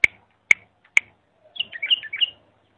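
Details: Bulbul song used to tutor young bulbuls: three sharp, spaced clicks followed by a brief, quick warbled phrase of bright whistled notes bending up and down.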